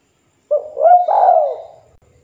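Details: Local spotted dove calling out to a rival, a call that makes other doves answer: a short soft note, then a mellow rising coo sliding into a long falling, slightly rough coo, one phrase against a quiet background.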